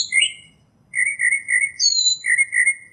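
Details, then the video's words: A northern mockingbird sings clear whistled phrases: a rising-falling opening note, then a warbled phrase repeated three times, a swooping higher whistle, and the warble again. "Northern Mockingbird Song, Sound, Voice, Call, Melody - Sinsonte Canto - Mimus Polyglottos"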